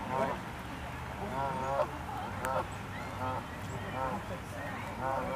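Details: Canada geese fighting each other on a road give harsh, nasal honks about once a second, each a short harmonic blast, over a low rumble of traffic, as a sports car revs its engine at them.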